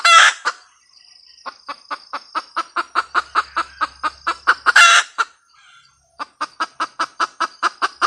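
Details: Red junglefowl hen cackling: a harsh opening squawk, then a long run of evenly spaced short clucks, another rasping squawk near the middle, and more clucks after a brief pause, over a faint steady insect whine.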